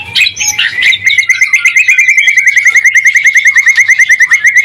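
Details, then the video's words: White-rumped shama, used as a lure to make other shamas sing back: a few scratchy notes open into a long, even trill of rapid identical whistled pips, about eight per second, held for several seconds. "Suara murai batu gacor AMPUH buat pancingan murai batu agar emosi LANGSUNG NYAUT"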